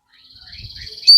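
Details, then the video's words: Sogon song used to train captive birds to sing: a long, steady high whistled note that strengthens and ends in a sharp, piercing upslurred burst. "Pancingan sogon gacor full ngoceh"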